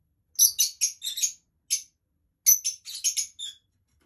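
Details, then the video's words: Dark olive lovebird giving shrill, high-pitched squeaky chirps in two quick bursts of several notes each, separated by a brief pause, against a silent background. "Dark Olive love bird"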